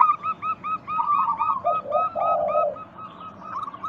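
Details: Zebra doves of the local type, recorded as a lure for other doves: regularly repeated short, bright coos, about four per second, with a lower, hoarse cooing phrase rising partway through.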